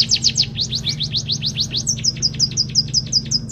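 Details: Munia delivering canary-type song: rapid high descending chips in a rolling trill, changing to a higher, clipped note series halfway, with a steady low hum underneath.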